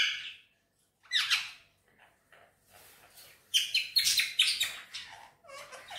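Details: Green Indian ringneck parakeet chattering in Urdu/Hindi talk: scattered bursts of rough, speech-like syllables build into a dense, fast run of buzzy chirps before fading into softer notes.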